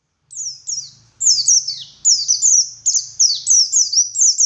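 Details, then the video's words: High, sweet white-eye song for luring in the morning: descending whistled slurs in rapid clusters, gathering pace and loudness after the first second, with a soft low hum underneath. "Suara Burung Pleci Gacor || Pancingan Pleci Ngalas Pagi Hari"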